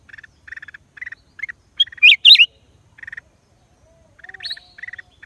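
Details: Black-crested bulbul, recorded in April 2023: short buzzy chirps near one pitch, given in quick clusters, broken at mid-clip by a few loud, sharp rising whistled notes. A lower faint whistle is also heard.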